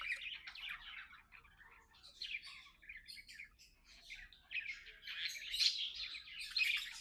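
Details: Pet budgerigars, companions chattering and playing together, give a continuous busy warble of chirps and scratchy notes, mostly high-pitched, swelling louder toward the end.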